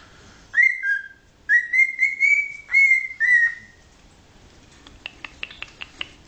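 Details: Pet cockatiel aged 13, still picking up new words, whistles a connected melodic phrase of sliding, wavering notes held almost two and a half seconds, then falls silent before a string of soft dry clicks.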